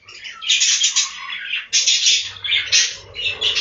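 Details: Budgerigars housed in a breeding room chatter loudly in grating, buzzy squawks and warbles, overlapping in quick waves with only a brief dip between them.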